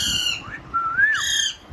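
An Alexandrine parakeet gives harsh, harmonic-rich squawks with a wavering, rising-then-falling whistle between them, loud against a quiet background.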